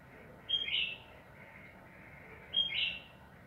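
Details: Lure recording of a bulbul: two short bright bubbling phrases about two seconds apart, each a quick high whistle sliding into a warbled flourish, with a faint steady background hum between them.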